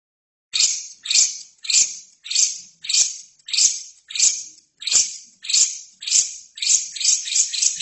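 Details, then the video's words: Lovebird chattering from a training recording for other birds: harsh, buzzy bursts about every half second, each a rasping screech, run together faster toward the end. "LOVERBIRD GACOR!!! INILAH HASIL TERAPI MASTERAN TERBAIK 2017"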